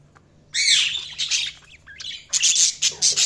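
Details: Budgerigars chirping and squawking in a loud, busy run of harsh, high twittered notes, some sliding upward, broken by short pauses and then a rapid burst of sharp chirps.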